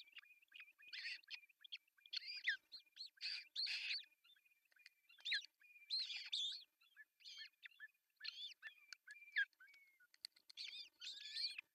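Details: Ospreys at a nest in Pohjois Satakunta, Finland, on June 10, 2024, as the male brings a big fish for breakfast: quiet, rapid series of whistled chirps, repeated in bursts throughout, with no other clear sounds.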